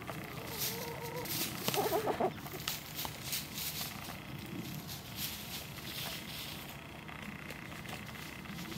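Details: A domestic chicken recorded on 11 February 2023 gives a few short, nasal clucking notes in the first two seconds, followed by steady rustling and background noise.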